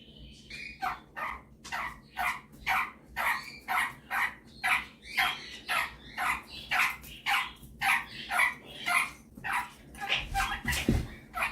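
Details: Male pet superb parrot mimicking, giving a steady string of short, harsh bark-like notes, about two per second, for over ten seconds, ending with a soft thump.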